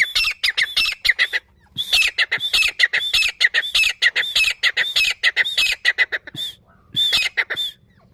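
Loud, harsh, ringing grey partridge calls repeated in fast runs of squeaky notes, with brief pauses between bursts.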